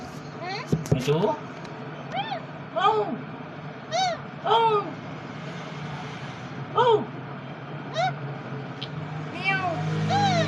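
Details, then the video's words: Green parrot talking: a series of short, arched, harmonic notes, each rising then falling, spaced about one to two seconds apart. A faint steady hum runs underneath. "Green Parrot Talking So Cute"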